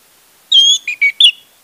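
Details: Short orange-headed thrush song fragment used to stir a silent bird into song: one drawn-out whistle followed by three quick, slightly lower whistled notes.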